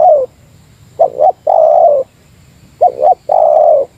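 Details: Meratus-type spotted dove used as a lure, calling against a rival: mellow low coos, each phrase two quick clipped notes then a long drawn, slightly falling coo, repeated about every two seconds with quiet gaps.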